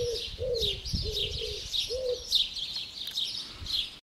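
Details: Common wood pigeon cooing on a pigsty roof on 5 June 2022 gives five soft, low, hollow coos over about two seconds, with busy high chirping from house sparrows throughout.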